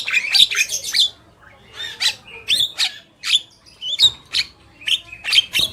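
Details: Black-winged myna, male and female, in lively full song: loud harsh squawks and chattering notes alternating with whistled rising phrases, bursts spaced irregularly about every half second to second.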